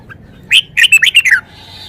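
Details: Red-whiskered bulbul in a cage performing its song repertoire: one soft chirp, then a loud, rapid string of six slurred whistles that descend at the close, with a faint hiss after.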